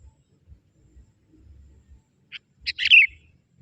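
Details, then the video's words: Young forest sooty-headed bulbul calling to lure wild bulbuls: a few short, bright chirps in a brief burst, the last ones loudest and slightly buzzy, over quiet background thumps. "Suara kutilang muda hutan memanggil burung kutilang liar!!"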